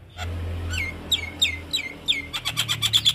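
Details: Javan myna singing, recorded for training cage birds: a run of slurred downward whistles about every third of a second, then a fast series of sharp clicking chirps, over a faint low hum.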